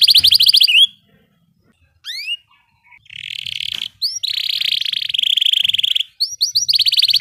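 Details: Canary delivering short bursts of rolling song for training other cage birds. Brief whistled upward sweeps and sharp chips give way to long, even buzzy rolls, broken by short silent gaps.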